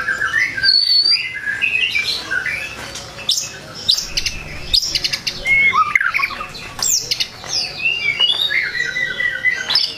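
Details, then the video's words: White-rumped shama song meant to provoke rival shamas: a dense, varied stream of whistles, sharp chips and harsh notes over ten seconds, with a busy, cluttered background. "Kicauan Murai Batu Yang Bikin Emosi Lawan"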